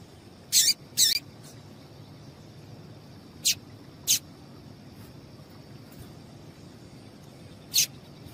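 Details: Female papa-capim seedeater giving calls meant to excite males, used by keepers who enter singing contests; five sharp, high chirps in two pairs and a single note, spread unevenly over about eight seconds against a faint steady hum.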